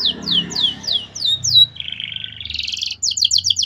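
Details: Canary song used as a master for young birds: a series of descending whistled sweeps, then a buzzy roll and quick repeated chirps, over faint low background noise.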